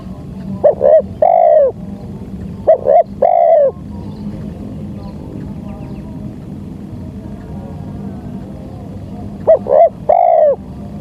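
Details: Local spotted dove coos used as lure audio for trapping wild doves: three phrases, each two short rising notes and then a long, drawn, slightly falling coo, spaced several seconds apart over a low steady background hum.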